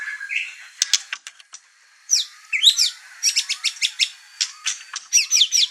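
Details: White-rumped shama in an over-excited outburst, stirring up birds kept in the same house: a low whistle, scattered sharp clicks, then bursts of high chirps and rapid ticking notes.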